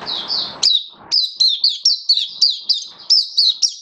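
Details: Oriental white-eye hobby bird in buka sing display song: rhythmic, high, sharply dropping chirps repeated roughly three or four per second in a bright, even sequence.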